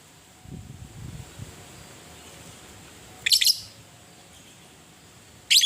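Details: Fighting lovebird, ngetik ngekek style: soft low rustling, then a harsh, high, stuttering screech and another beginning at the end.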